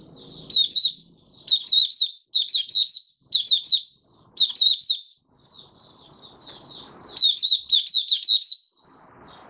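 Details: Caged oriental white-eye opening into song five days after its monthly deworming. Repeated bursts of shrill, tumbling twitters alternate with softer, quieter notes, and a faint rustle is heard near the end.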